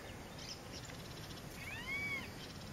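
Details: Male Green-barred Woodpecker of subspecies nattereri at its nest in a fence post, Fazenda Santa Tereza, Pantanal, Brazil, 27 September 2013: one arched, mewing call with stacked harmonics rising then falling, over steady background hiss.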